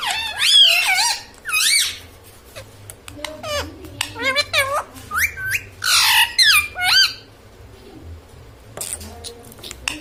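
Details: Pet parrot, said to talk and say mummy and papa, indoors: loud swooping harmonic calls, squawky bursts and shorter hooked notes in a busy sequence, tailing off to quieter sounds.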